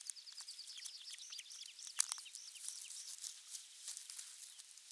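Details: Osprey at its nest on 23 June 2020, nest camera 3, with a half-kilo crucian carp as the morning fish; a rapid series of high, arched whistled notes, repeated evenly, over soft clicking and patter.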